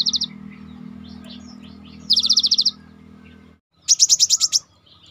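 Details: A cinereous tit, used as a lure recording to prompt other birds to sing, gives three quick bursts of bright, high, even notes, seven or eight per burst, over a steady low hum.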